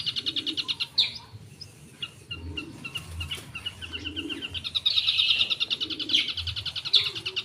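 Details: Long-tailed shrike (cendet) in full 'gacor' song with mimicked 'isian' phrases: rapid repeated high chattering notes and trills, bursts of dense rattling phrases, with faint low cooing in the background.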